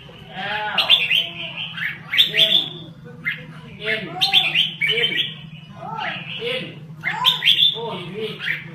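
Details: Lao red-whiskered bulbul giving its rapid, rolling song: clusters of sharp chirping and warbling notes in brief phrases, mixed with lower slurred arching notes, all over a constant low background hum.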